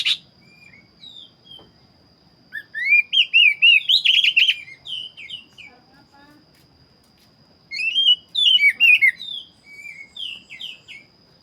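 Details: Black-breasted Oriental magpie-robin in persistent song: scattered soft whistles build into bright, fast, warbled phrases with sweeping slurs and crisp notes, repeated after quieter gaps, with a steady high background tone.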